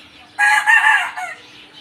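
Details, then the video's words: Rooster gives one loud, harsh crow lasting about a second, rich in harmonics and breaking into a short trailing note, heard against a quiet background. "Crowing cock"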